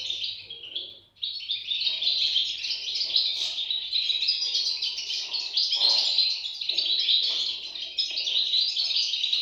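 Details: European goldfinch chicks in a loud, continuous chorus of high squeaky chirps after a brief quiet start, with a faint low hum at first.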